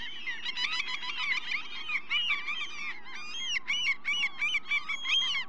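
Common gulls give a busy run of high, nasal mewing and yelping notes, several birds overlapping in quick bursts, with faint background rumble.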